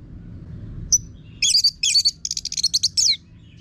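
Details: Orange-headed thrush lure song, used to coax caged birds into singing: one thin high note, then a fast rattling string of harsh, buzzy chirps at a quick steady pace.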